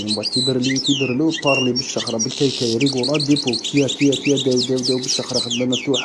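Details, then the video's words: Algerian qadousi-style European goldfinch pouring out rapid chattering song of high trills, quick rising and falling whistles and a brief buzzy burst, with a man speaking Arabic throughout. "تغريد الحسون القادوسي الجزائري الاصيل"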